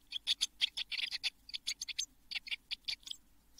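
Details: Young Eurasian blue tits, seven nestlings in a nest box shortly before fledging in June 2022: a rapid series of short, scratchy, high-pitched chips, about four or five per second, fading toward the end.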